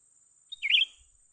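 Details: A young bulbul during a bird-luring and trapping session gives a single short chirpy call with a bright, warbled twist in the middle, over a steady high-pitched whine that runs throughout.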